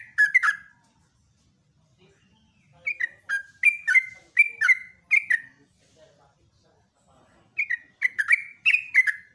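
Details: Yellow-vented bulbul singing a rapid, prolific morning song, the trucukan's ropelan style: bursts of slurred, bubbly whistled notes near mid pitch, grouped in quick phrases with a silent gap mid-clip before the phrases resume.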